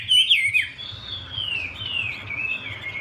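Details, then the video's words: Chinese hwamei with a female dancing to prompt the male; a brief loud twisting whistle, then a long, soft, steady whistled tone gently dipping in pitch. "Họa mi mái múa xòe thúc trống nhanh lên lửa"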